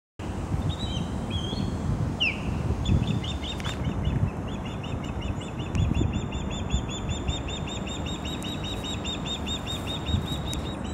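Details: Osprey calling dramatically at its nest in Savannah, Georgia: long, fast runs of short, high, whistled chirps, with a brief rising squeal early on, all over a steady low rumble of wind or traffic.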